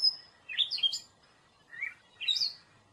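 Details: Gray catbird phrases: a high thin whistle, then a few squeaky, chattering notes rising and falling, a pause, and two more scratchy bursts.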